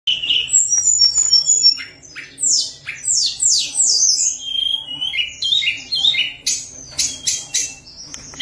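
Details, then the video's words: Tledekan gunung in full, lively, flute-like song, played to lure lazy birds into singing: a rapid, varied stream of high whistles, sharp downward sweeps and chattering phrases with constant changes of pitch, over a faint low hum. "Tledekan Gunung Gacor Nyuling-nyuling Sangat Ampuh Untuk Pancingan Tledekan Yang Malas bunyi."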